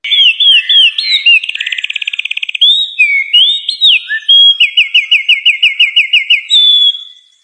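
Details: Songbird in full song: loud varied whistled phrases, a fast buzzy trill, then a run of about a dozen quick rising whistled notes ending in a steady high whistle.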